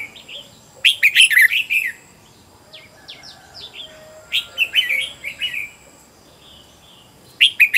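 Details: Red-whiskered bulbul decoy, caged and trained at home to sing heatedly and attract wild birds: bursts of rich, rapid warbling separated by quieter gaps holding a few sharp high chirps.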